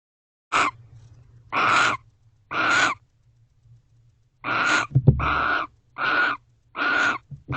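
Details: Barn owls at a nest box at night, 10:49 pm on 1 December 2023, distressed by something outside before taking off: harsh hissing screeches about a second long, repeated roughly every second with brief pauses, and a thump midway.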